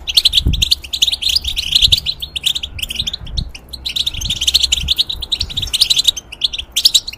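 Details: Caged European goldfinch in molt singing for hybrid tutoring: rapid chattering twitters and bright tinkling phrases in long bursts, broken by short gaps, with soft low knocks in the background.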